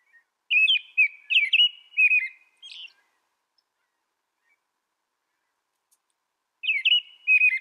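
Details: Song of an American robin, a run of rich, caroling whistled phrases, each slurred up and down, lasting over two seconds, then four seconds of silence before the bird resumes with similar phrases.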